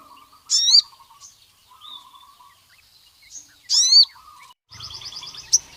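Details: Sogon calling to draw rival males: two loud, falling swept notes about three seconds apart, followed by a buzzy high trill, with background warbling from other birds.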